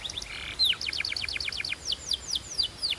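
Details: A Belgian canary warming up quickly into song, a quick run of bright, sweeping notes, each sliding downward, repeated about eight times a second in high, ringing trills.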